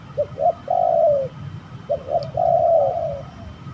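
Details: Two low spotted dove phrases during a fight at a bird-trapping site: each opens with short clipped notes and ends in a long, gently falling coo.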